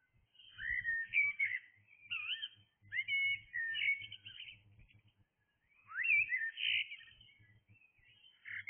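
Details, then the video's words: Blackbird singing in the early hours, producing a series of rich, varied fluty phrases with warbles and squeaky flourishes, a brief pause, then a further melodious phrase over a faint low rumble. "Blackbird singing"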